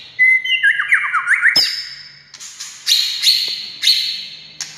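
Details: White-rumped shama singing to provoke rival shamas: a clear whistle dropping into a tumbling run of descending notes, then a sharp crack and repeated harsh, buzzy high phrases.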